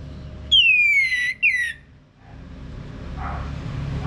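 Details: Orange-headed thrush prompting sound to stir a male into ngeplong singing: two long, pure whistles gliding steadily downward, the first nearly a second long, followed by quiet with low rumble.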